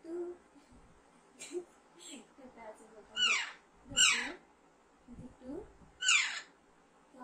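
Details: Alexandrine parakeet, a hand-raised baby kept indoors: several harsh, falling screeches in quick succession, mixed with a person murmuring and softer chattering sounds.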